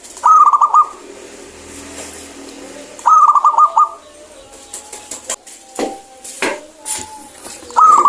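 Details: Clear-voiced local zebra dove singing steadily, used as a lure for doves that are slow to sing: quick trilled cooing phrases repeated about every three seconds, with soft whistles and sharp clicks between them.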